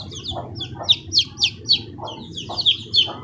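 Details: Chicken chicks calling; bright, sweet peeps, some sliding down in pitch, come in an uneven run of roughly three to four per second, with softer lower cheeps in between.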